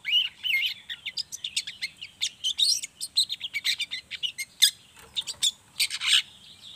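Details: Young long-tailed shrike in loud, busy chattering song, used as a lure so other young shrikes start singing: rapid sharp chirps and squeaky notes packed several per second for nearly seven seconds.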